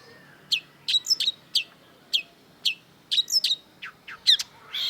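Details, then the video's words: Long-tailed shrike singing a varied phrase: scattered sharp high notes and small twittered clusters, some quick downward flicks, closing with a soft hiss of noise. "cendet gacor MASTERAN CENDET DURASI PANJANG || Long-tailed Shrike"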